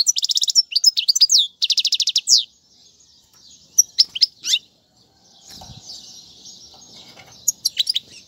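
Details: European goldfinch song for teaching young birds, opening with two loud buzzy rattling trills, then scattered sharp twitters, followed by a soft hissing noise and a few final high notes.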